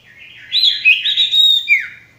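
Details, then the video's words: Short, loud phrase from a male sirtu: a warbled run of high whistles and twittering notes, closing with a single sharp downward-slurred whistle. "masteran burung sirtu bakalan maupun stres macet"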